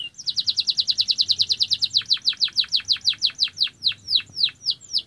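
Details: Canary singing a rapid high trill of sweeping downslurred notes, about three per second at first and then slowing. Each note becomes a longer, clearer swoop toward the end. The background is quiet.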